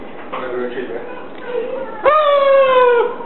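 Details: Catablue macaw vocalizing while watching TV indoors: soft murmured voice-like sounds, then a loud, strongly harmonic squawk that rises sharply and holds, slowly falling, for about a second.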